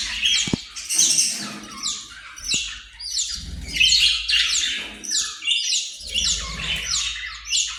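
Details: Australian parrot giving a dense run of harsh, squeaky chirps, each a quick downward-sweeping note, tumbling over one another with brief pauses; a couple of sharp clicks and a low rumble in the background.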